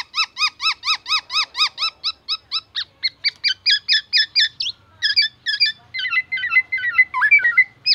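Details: Black-naped oriole song with borrowed oriental magpie-robin and siren material: a loud, rhythmic sequence of ringing rising notes that slowly changes shape, breaking into jumbled warbled phrases at the close.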